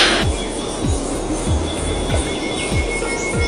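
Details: Music with a steady low thumping beat about every 0.6 seconds over a broad noisy wash, with no animal voice.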